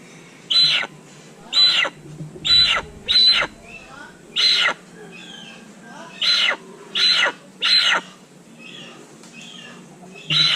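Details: Little hornbill in natural surroundings giving a long series of loud, harsh, nasal squawks, about nine to ten short notes at uneven intervals of roughly one second, over faint background noise.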